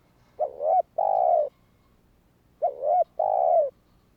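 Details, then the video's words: Spotted dove calling to incite other doves to call (kích bổi): twice, a short rising coo leads into a longer, even coo with a slight downward end, and the two phrases are about two seconds apart. "Chim cu gáy Thúc kích bổi , Tiếng cu gáy Thúc hay ,tiếng chim cu gáy kích bổi"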